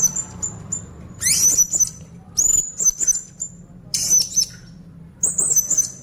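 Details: Blue-crowned hanging parrot in energetic konslet song, kept as a lure for other hanging parrots: sharp piercing high twittering bursts with quick up-and-down squeaks, four main bursts separated by short pauses, low hum beneath.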